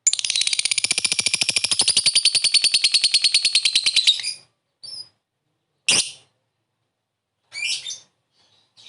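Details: Lovebird calling, used as a lure for a quick response: a long, rapid, buzzy ngekek chatter of evenly repeated high notes for about four seconds, then a few short sharp chirps after pauses.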